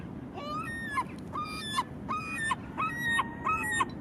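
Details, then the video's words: A herring gull gives nasal, yelping calls, about six in four seconds, each rising then breaking off sharply, over a low steady rumble of wind or surf. "Bird sounds || Herring Gull"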